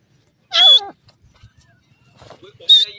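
A francolin gives two loud, harsh, high-pitched calls about two seconds apart, with faint murmuring and small sounds in between.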